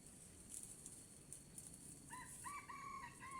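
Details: Red junglefowl in Sumatra, lured with a decoy near the end of the fasting month. After two quiet seconds a harmonic crow starts: stuttered opening notes, then drawn-out level and slightly falling phrases. A steady insect hum runs throughout.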